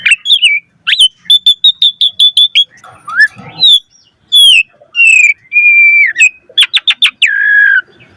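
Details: Asian pied starling varied song used as a lure for starlings, with rapid high ticking notes over a sustained tone, low rough phrases, loud slurred whistles and a long level whistle before quick chips.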